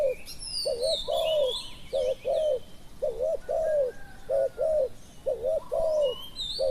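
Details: Decoy spotted dove in Thailand calling to draw in wild doves: mellow, low-pitched coo phrases of two quick notes and a longer falling coo, repeated about every two seconds, while thin high whistles and chirps of other birds sound above.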